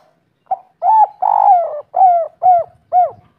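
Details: A local spotted dove of the three-note-coo type gives soft, hollow, mellow coos, about six notes at roughly two per second, each slightly falling, with no other sounds.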